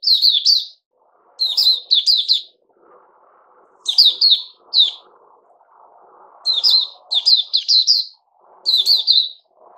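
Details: Puteh Raja bulbul singing on 08052021 after a special fruit juice and mealworm feed: repeated bubbly warbled phrases every second or two, with a soft low rustling hum under the gaps.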